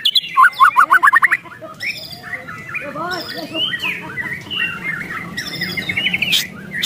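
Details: White-rumped shama giving an emotional ketrekan: a fast burst of about ten sharp, bright notes at the start, then softer chattering and warbling mixed with background noise.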